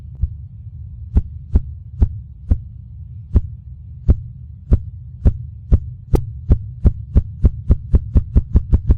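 Ruffed Grouse drumming: deep, muffled thumps that start slow and speed up into a rapid roll, over a steady low hum.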